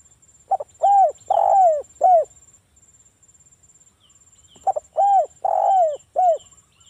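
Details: Lure song of a local spotted dove, used to make wild doves respond: two repeated phrases, each a quick stutter, a rounded coo, a long rough descending coo and a short final coo, with a pause between and a faint high hum.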